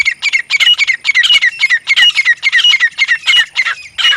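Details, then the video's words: Grey francolins, a female and male, call in a loud, harsh, shrill chatter of squawky notes, several to the second, running without pause. "Madi Grey Teetar ki Awaz | Teetar ki Boli Partridge Female and Male Sound | Grey Francolin Voice"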